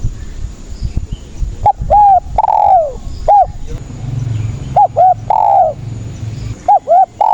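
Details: Vigorously singing spotted dove, recorded as a trapping lure: repeated phrases of two quick hollow coos and a longer descending croo, with low background rumble.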